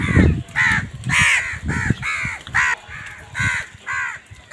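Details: Crows calling in a village produce a rapid string of about eight grating caws, close together, with low thumping knocks underneath at the start.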